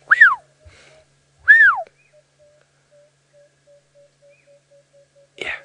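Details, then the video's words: Black-headed oriole calling from a drainage line on a late-afternoon safari drive in Sabi Sand, South Africa: two loud liquid whistles, each sweeping up then down, about 1.4 seconds apart, with a steady faint repeated note behind and a brief rustle at the end. "The black-headed oriole is calling."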